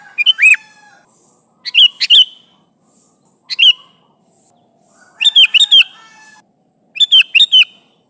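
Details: Calling its companions, a chattering sooty-headed bulbul gives an arched slurred note, then rapid bursts of three to four bright chirps roughly every one to two seconds.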